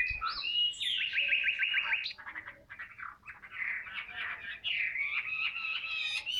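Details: Caged Chinese hwamei singing 'ngũ trường cao cầu' song. A loud ringing phrase of quickly repeated notes, about eight in a second, then softer varied warbles, and a run of bright repeated chips at the end.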